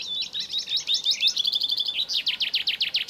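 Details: Black redstart song, in spring, a bird of residential areas that sings from roofs and antennas even before dawn: a quick, high whistled warble, then about seven dry, scratchy, down-slurred strokes like paper tearing.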